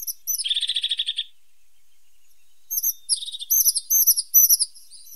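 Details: Singing tit outdoors, opening with a fast, dense high trill of about a second, then a pause, followed by a lively run of sharp, thin, high chirps delivered in quick uneven succession.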